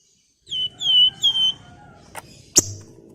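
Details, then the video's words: Javan fulvetta singing a sharp "nyiul nyuling" whistled song meant to get other birds singing. Three pure whistles ring out, each gliding slightly downward, then two sharp clicks. "FLAMBOYAN GACOR NGEPLONG NYIUL NYULING TEMBAKAN TAJAM"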